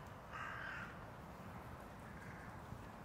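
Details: A hooded crow gives a single harsh, rasping caw lasting about half a second, over a steady low rumble of distant traffic; Tivoli landscape park, Ljubljana, 16 January 2024.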